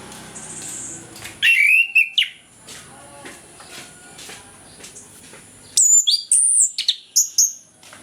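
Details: Morning ngeplong singing by an orange-headed thrush, played to encourage lazy birds: two separated phrases of loud, clear whistles, the second richer, with high sliding notes and quick drops, with faint ticking sounds in between.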